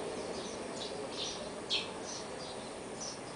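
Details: Swinhoe's white-eye near its nest, a parent after the nestlings fledged, giving thin, high, short chirps about every half second, one louder note in the middle, over a steady background hiss.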